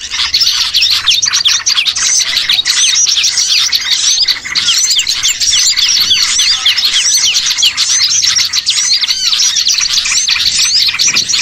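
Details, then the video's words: Lure sound of a noisy gathering of small birds for bird catching: long stretch of dense high-pitched chirping, squeaky notes and short whistles from many birds, steady and restless throughout. "MP3 PIKAT BURCIL"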